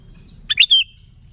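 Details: A single sooty-headed bulbul phrase, used to lure bulbuls: a quick bright double note followed by a longer slurred whistle that falls away.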